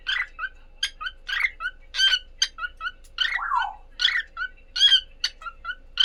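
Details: A cockatiel pair calling: short harsh chirps and squawks repeated irregularly about twice a second, with one longer descending warble partway through, over a faint steady hum.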